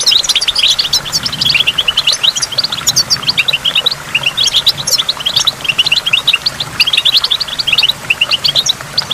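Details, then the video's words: Continuous tinkling, twittering goldfinch song near a waterfall, high chirps packed densely for the whole stretch above a soft rush of water. "in the waterfall stimulates goldfinch and water drops"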